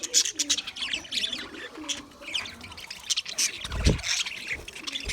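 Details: English budgies recorded February 14, 2024, heard in rather soft, scratchy chirping chatter, with a low thud near the end and some background rustling.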